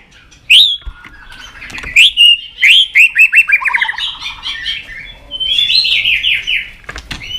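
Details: White-rumped shama stimulated into energetic song, flicking its tail: loud upslurred whistles followed by a fast chattering trill and a closing burst of quick warbled notes.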